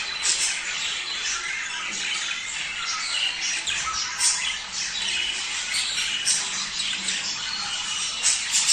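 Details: Budgerigars sounding off to stimulate mating: harsh squawks and rapid chattering warbles overlap continuously, punctuated by louder chips roughly every second or two.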